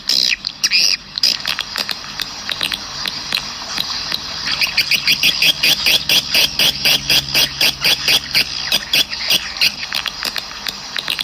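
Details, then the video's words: External lure sound played at a swiftlet house to attract swiftlets: rapid, high, dry twittering chirps in dense bursts of about two per second, with a faint low hum underneath. "เสียงดึงนกแอ่นขั้นเทพ เสียงนอกยอดนิยม บ้านนกแอ่น Swiftlet Sound"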